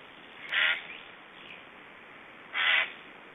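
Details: Estonian black storks at feeding, 1 July 2012, make strange sounds: two short, separate harsh rasping bursts about two seconds apart over a faint hiss.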